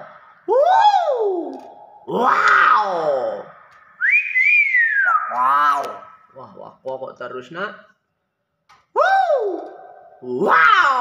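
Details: Talking hill myna: falling whistled swoops alternate with harsh, speech-like phrases and a short, choppy run of syllables, then a pause and another swooping whistle.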